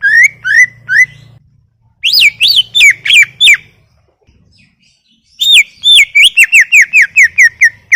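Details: Masteran gacor song of a greater green leafbird: three rising whistles, a fast series of chirps, a silent gap of about two seconds, then a quick rattling run of sharp notes that tapers slightly lower.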